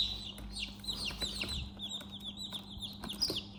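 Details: Chicks peeping in a chick house, a busy run of shrill descending chirps from several birds, with a few bumps and rustles and a low background hum.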